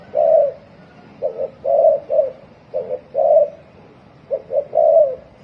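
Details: Spotted dove cooing in the fast 'thổ còi' style, used to stir a decoy bird into calling. Low, hollow two- and three-note coo phrases come in quick succession over a steady background hiss.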